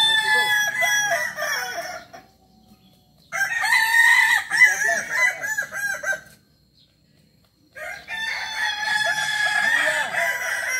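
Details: Kukuak Balenggek cock, a West Sumatran village chicken from Tigo Lurah, Solok, famed for its tiered crowing. Three separate long crows are divided by silent gaps. Each is a chain of rolling, up-and-down notes.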